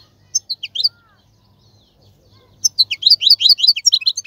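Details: Male European goldfinch voice for tutoring fledglings: a few separate chirps over a faint low hum, then a lively run of quick, bright twittering notes.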